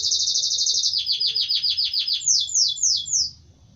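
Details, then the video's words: Caged-style canary song of fast repeated notes: a high rolling trill, then a run of downward-sweeping chirps, ending with four slower descending whistled slurs before falling quiet. "Kanarya sesi"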